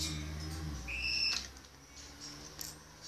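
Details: A hand-fed young grey parrot, 65 days old, gives a single short, clear whistled note, level in pitch, over a low background hum and faint rustling.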